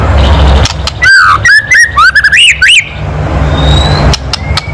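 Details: White-rumped shama giving a loud kretekan call meant to provoke other birds; a quick string of clear whistled notes, slurred upward and downward around the middle, rising toward the end, then a low background hum.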